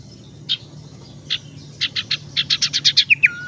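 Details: Tailorbird lure used to attract birds or restart a quiet singer: sharp high chips, sparse at first then accelerating to about four a second, finishing in a level whistled note.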